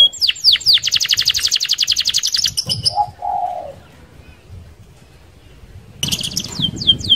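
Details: Canary in rolling, fast song used to lure other canaries: rapid downward-sweeping notes then a long trilled roll, a pause with a low hum, then the song resumes.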